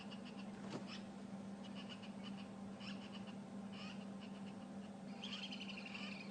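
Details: Several birds give alarm calls for a passing hyena on a misty morning game drive at Djuma Game Reserve, 6 May 2015: harsh, repeated chattering notes in short bursts, over an idling vehicle engine's low steady hum.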